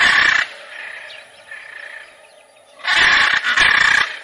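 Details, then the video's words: Macaw giving loud, harsh, raspy broadband screeches: one brief burst at the start, a quiet gap with faint noise, then two long grating squawks close together at the end. "CANTO DA ARARA"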